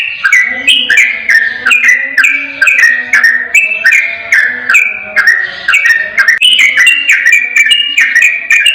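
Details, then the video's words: Yellow-vented bulbul singing non-stop in a lure recording for reluctant bulbuls: rolling, liquid phrases that rise and fall, each under a second long, with faint clicks between the notes. "Suara Masteran Burung Trucukan Ropel Durasi Panjang Jernih Tanpa Jeda"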